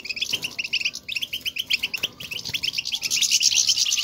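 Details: Goldfinch presence calls, the batbata chatter meant to spur caged birds into song: quick, high, liquid chirps run in an uneven stream, thickening into a busier, brighter twittering burst toward the end, with one faint click midway.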